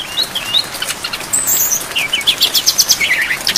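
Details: Brown-chested jungle flycatcher, training song with filler phrases and rain: soft whistled slurs, then high jumbled twitters and a rapid chattering run of chirps.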